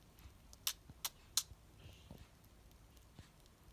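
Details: Sick budgerigar sneezing in a rapid series: three sharp, dry snaps roughly a third of a second apart, then a few softer faint clicks and rustles against a quiet background.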